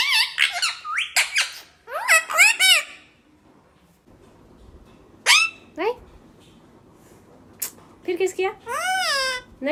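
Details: Talking parrot voicing rapid, harmonic speech-like syllables at the start, then a quieter gap with room noise, followed by more scattered high swooping word-like sounds.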